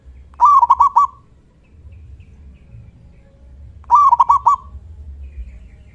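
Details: Local Zebra Dove singing loudly to provoke neighbouring doves into answering: two crisp phrases of rapid stuttering coos, the second arriving about three and a half seconds after the first, with a soft low rumble between.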